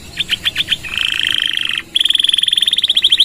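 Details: Gacor canary singing long 'nembak' phrases with 'gereja' fill, a training song for other birds: a few short chips, then a steady buzzy trill, a brief gap, and a long, very rapid ringing trill.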